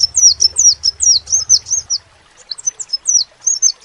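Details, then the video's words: Crimson sunbird giving fast, very high, squeaky twitters, downward-flicking notes strung quickly together, a short pause, then a few more sharp notes; a low hum during the first half. "SEPAH RAJA TERNYATA MEMPUNYAI KELEBIHAN DARI SEGI SUARA NYA YANG KHAS"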